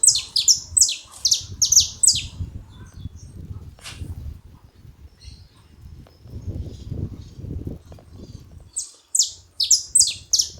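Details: At a feeding spot, a saffron finch gives runs of sharp, high, falling chirps at the start and end, separated by several seconds of rustling and low rumbling noise.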